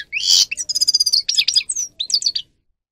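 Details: Grey-crowned goldfinch in full song for training: a buzzy opening note, then a quick series of high, evenly spaced tinkling notes and twittering slurs, ending after about two and a half seconds.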